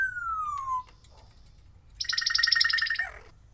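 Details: Timneh African grey kept as a pet, learning to mimic sounds: a steady falling whistle, a short pause, then a loud rasping, pulsed electronic-like buzz lasting about a second.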